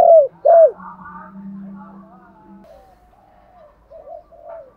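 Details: Decoy spotted dove calling to provoke wild doves into answering. Two loud descending coos open, then a low steady hum and faint distant cooing.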